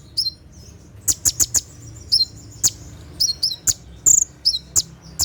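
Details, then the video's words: Sunbird kept in a cage sings its 'tembakan' song at night, used for training other birds: scattered clusters of sharp high ticks mixed with quick downslurred whistles and one buzzy trilled note. "SUARA TEMBAKAN KONIN SAAT DIMALAM HARI"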